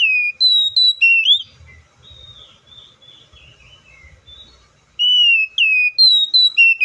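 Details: Oriental magpie-robin song: bright whistled notes, then a stretch of quieter wavering, scratchy notes, then a new loud series of clear falling and rising whistles.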